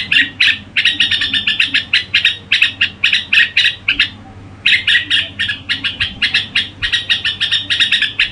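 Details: Red-whiskered bulbul in full crooning song, pouring out quick bright chirps in long rhythmic runs with one clear pause midway. A low background hum is present throughout.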